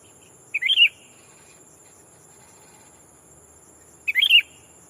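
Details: Sooty-headed bulbul kept as a decoy, calling to challenge rivals and attract wild birds; two short liquid, bubbling whistled phrases about three and a half seconds apart, with a constant high-pitched insect drone behind.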